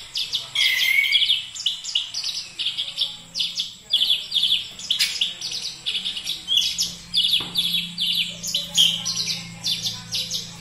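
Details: Oriental magpie-robin (kacer) song made of fast, evenly repeated high chirps and clipped whistles, several notes a second, running almost without a break, with a faint low hum underneath.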